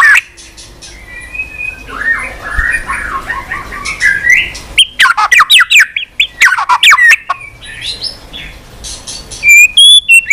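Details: White-rumped shama, provoked into singing on its perch while flicking its tail, delivering a varied song of loud clear whistles, rising and falling slurs and sharp high notes, with short quiet gaps between phrases.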